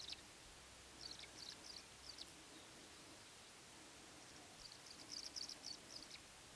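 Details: Nesting Tree swallows (Tachycineta bicolor) at Bald Top Hill, William L. Finley National Wildlife Refuge, Oregon, USA, give short, high, liquid chirps in two quick twittering bursts over a steady background hiss.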